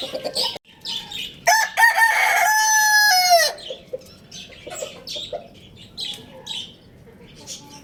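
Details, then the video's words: Lohmann Brown rooster, said to be at Lalukhet bird market, gives a brief call, then a full crow of about two seconds, strong and harmonic, ending with a dropping tail, with small birds chirping throughout. "Amazing Rooster Crowing Sound Effect"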